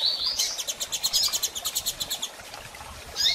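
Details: Female double-collared seedeater calling to prompt a male to resume song after moult; a fast, even series of about fifteen high chip notes over two seconds, then a single sharp call.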